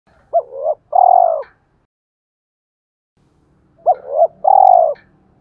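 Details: Spotted dove decoy in 'thổ pha' voice style, cooing to lure wild males from the forest to fight. Two phrases about three seconds apart, each a quick double coo followed by a long, drawn-out purring coo, in clean quiet surroundings.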